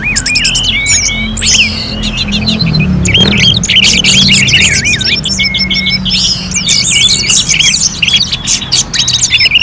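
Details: Orange-headed thrush song simulating a bird contest. Energetic, overlapping whistles, trills and chips run on without a break. A low rumbling hum is present in the background.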